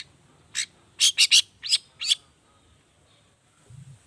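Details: Long-tailed shrike lure song, 'toet toet' variation: a quick burst of five or six scratchy, buzzy notes in under two seconds, then quiet with a faint low rumble near the end.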